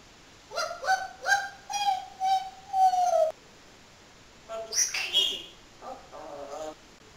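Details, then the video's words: Parrot that talks all day, giving five evenly spaced, clear whistled notes in a row, then a shrill squeal and a short burst of buzzy, speech-like chatter. "BEST TALKING PARROT IN THE WORLD"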